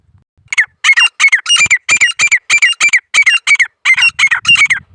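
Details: Grey francolin calling in India, a rapid series of about a dozen sharp, squeaky, harmonic notes repeated in quick succession with brief gaps, clean and loud against a quiet background.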